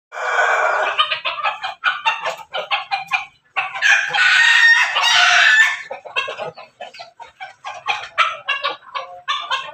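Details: Backyard-raised chicken, a Pelung–Bangkok–Ketawa cross, crowing: a harsh, harmonic crow of about two seconds rises from a run of rapid, repeated clucking notes, and the clucking continues steadily afterward.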